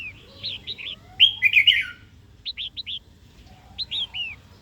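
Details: Red-whiskered bulbul female calling to stir a wild-caught male into song and combat; quick clusters of two or three clipped, rising-falling chirps around a louder jumbled burst of notes.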